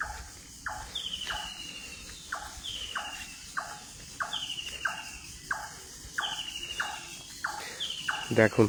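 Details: Dawn chorus in dense morning fog: a loud bird call made of brief dropping notes, repeated in a long series of about a dozen, with high drawn whistles overlapping and crickets buzzing steadily underneath.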